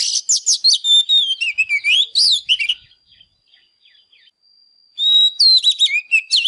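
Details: Oriental magpie-robin in a fired-up, singing-and-dancing state, its song used to spur other birds to sing; loud, rapid, varied whistled phrases that slide up and down, then a two-second lull with a faint thin steady tone before vigorous whistling resumes.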